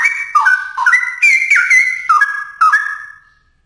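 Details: Straw-headed bulbul singing vigorously, a continuous flow of bright, bubbling whistles that jump between pitches, peaking in the middle and tailing off into quieter notes.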